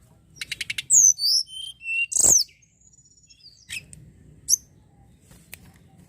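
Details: Lure song of the Sunda robin: a quick series of high ticking notes, then loud swooping whistles falling in pitch, a bright burst, and scattered softer high notes after a brief pause.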